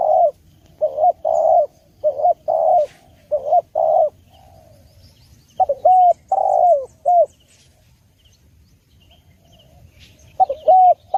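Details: Spotted dove giving clear, mellow coos for birdsong training and luring: three bursts of repeated low hooting notes, each phrase mixing longer falling coos with shorter clipped ones, separated by brief silences over a quiet background.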